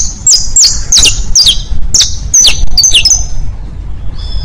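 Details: Saffron finch song for teaching young birds, bastos, pintos and finos styles: high, sharp downslurred notes with long level tails, under heavy low rumbling noise.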